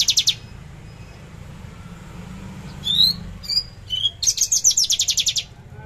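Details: Javan bush lark kept in a cage, recorded on the morning of 13 December 2022 at 10 a.m., singing trotol: an opening rattle, a pause, three rising whistles, then a long fast string of rapid high ticks.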